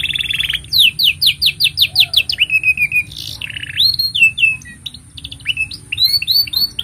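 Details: Canary singing a long master song for young birds and silent canaries: a run of quick descending notes, a buzzy trill, then varied upswept whistles and chips, continuous and energetic over a faint hum.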